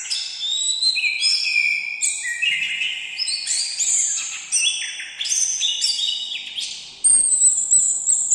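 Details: Orange-headed thrush singing varied whistled phrases that climb and drop in quick succession, a short pause near the end, then a loud high note.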